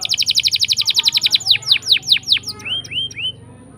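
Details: Canary's long rolling song, used as a lure to get reluctant canaries singing: a fast even trill of repeated notes, then slower loud downward-swept whistles, ending with a few softer rising-falling notes.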